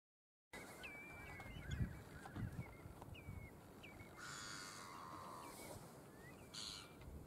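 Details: A Eurasian curlew foraging on the intertidal mudflats of the Wadden Sea, Texel, Netherlands, gives short, thin whistled notes, some rising slightly, over steady low rumbling and a couple of broad hissing bursts.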